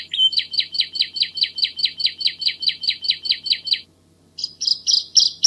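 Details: Lively bar-winged prinia tutor song in the tight 'shot' style: a long run of evenly spaced high, slightly buzzy notes, about five a second, then a brief silence and several louder sharp chips.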